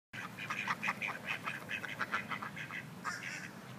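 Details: Mallard drakes fighting over a large hen, giving a rapid series of rasping, nasal quacks, roughly four to five per second, steady for over three seconds and ending in a brief louder burst.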